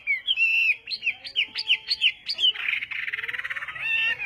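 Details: Chinese hwamei singing morning practice, a series of loud, slurred whistles repeated at a steady pace, then switching to a dense, fast chattering trill of harsher notes.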